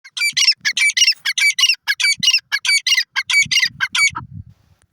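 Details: Francolin calling: a rapid run of harsh, squawking notes, about fifteen bursts in four seconds, each scratchy and high-pitched, with low thumps underneath near the end.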